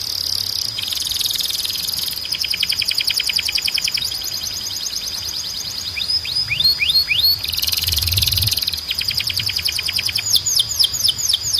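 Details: Canary training song with faint music underneath: dense buzzy trills alternate with rapid clicking rolls and a short series of falling whistled slurs, then more rattling phrases and downward swoops.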